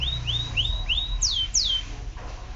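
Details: Canary producing four clear whistled upslurs in a row, followed by two sharp descending sweeps, over faint low noise.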